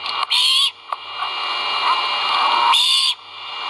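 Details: At a Skidaway nest with a live camera, great horned owl chicks call during feeding: two loud, raspy screeches with a rising-falling tonal trace, separated by a single click and steady background hiss.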